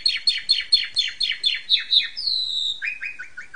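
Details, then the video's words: Asian pied starling performing a 'ngentrok' therapy song for training other birds: harsh buzzy notes repeated rapidly about four per second, one long drawn whistle, then a run of short downslurred chips. "TERAPI JALAK SUREN SUPER NGENTROK"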